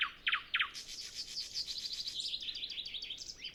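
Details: Nightingale before sunrise in still air: three loud clipped double notes, then a long fast high warbling trill of many quick notes. Zoom F6 with Sennheiser MKH 8040 microphone.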